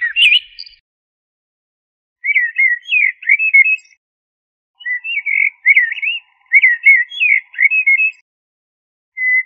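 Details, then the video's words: Common blackbird uttering a run of short, clear, liquid whistled notes in quick clusters, three groups separated by pauses, plus a lone whistle at the end. "تغريد طائر الشحرور ( جحمومية - الزرياب ) Turdus merula"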